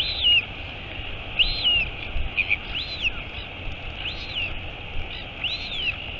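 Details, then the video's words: Royal albatross at its nest in the colony at Taiaroa Head near Dunedin, New Zealand, on 23 August 2022, as the mother arrives; thin arched peeping calls rise and fall, repeated about once a second over a steady hiss. "Альбатрос. Прилетела мама - Albatross. Mom arrived"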